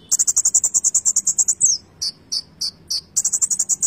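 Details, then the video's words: Konin songbird delivering a fast rattle of about twenty high chirps, then four spaced downslurred notes, then the rattle resumes; low background noise. "Konin gacor full isian"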